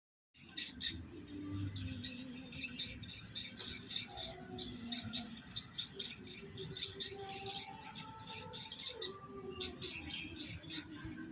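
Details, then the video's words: Swiftlet sound from Jember city, Indonesia, used to check a location: rapid high, dry chirps, about four each second, somewhat uneven in rhythm, over faint low hum and soft tonal background sounds. "Suara Cek lokasi Burung Walet Jember Kota"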